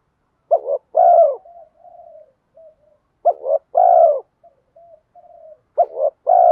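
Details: Spotted dove decoy bird in the 'giọng đồng' voice, calling to bring wild doves home: three phrases of stuttering coos ending in a long low coo, separated by quiet soft cooing.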